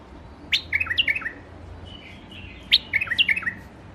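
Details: White-eared bulbul in a rooftop garden, Iraq: two quick phrases of descending, liquid whistled notes, each a cascade of about five notes, separated by a short pause, over low steady background noise.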